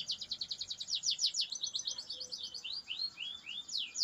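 Canary song: a fast, bright run of repeated high trills that breaks into sliding, rising whistled notes, loud and continuous throughout.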